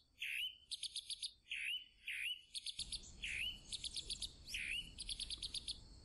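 Chalk-browed mockingbird singing: rich, varied phrases mixing sweeping down-slurred whistles with rapid buzzy chatter, phrases coming in quick succession; faint background hiss.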